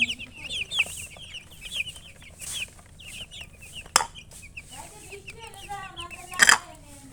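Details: Chicken chirps as rapid high peeps for the first four seconds, then sparser chirping mixed with a sharp knock, lower voice-like sounds and a burst of noise near the end.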